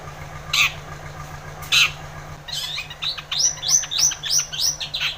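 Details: Energetic long-tailed shrike song meant to stimulate a lazy shrike to sing: two harsh rasping notes, then a quick chattering series of rising, upswept whistles repeated several times a second, over a faint low hum.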